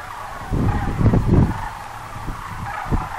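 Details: Sandhill cranes at Muleshoe Wildlife Refuge, Texas: overlapping rolling calls from many birds form a constant clamor, partly masked by heavy wind gusts early on.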